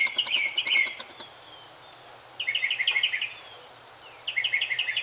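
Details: Mockingbird singing while looking for a mate: three bursts of rapid, chattering high notes, each about a second long, separated by pauses, over a faint steady low hum.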